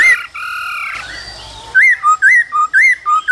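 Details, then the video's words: Cold-season laughingthrush male singing and dancing with calling female: after a steady tonal drone, bright rising-and-falling whistled notes repeat about twice a second. "Khướu trống hót múa kèm tiếng mái ro kích bổi mùa lạnh"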